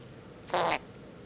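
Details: A female sun conure, which mimics a fart noise, a kiss sound and says hi, gives a single quick, buzzy, slightly raspy imitated burst.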